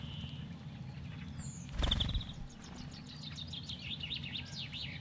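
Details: Brambling calls: a chatter of short, high, rapid chirps and sweeping notes, more frequent toward the end, with one loud thud in the middle over a low background rumble.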